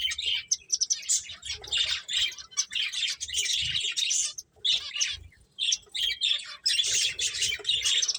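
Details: Finches chirping while playing: a nearly continuous stream of high, busy twitters, broken by a clear pause near four and a half seconds, with faint low knocks.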